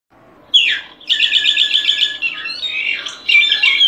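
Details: Solitary cacique delivering a long, continuous, buzzy and nasal warbling phrase with a downslurred opening note and a strident ending.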